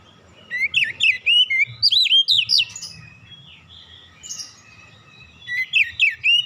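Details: Oriental magpie-robin singing relaxed lure song to prompt untrained birds: rapid rising and falling whistled notes in clusters, a softer stretch with a lone note, then another quick whistled burst.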